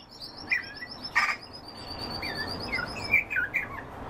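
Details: Song thrush singing short clear whistled phrases, some rising and some falling, spaced unevenly over about four seconds, over a steady high buzzing trill in the background.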